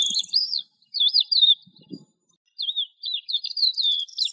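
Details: Eurasian skylark delivering lively, warbled phrases full of quick chirps and wavering high notes, with brief pauses between bursts and a faint low crackle.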